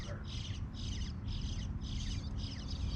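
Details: Young bluebirds chirping loudly with parents nearby: high, scratchy chirps repeated about twice a second in an even rhythm, over a strong low-pitched background rumble.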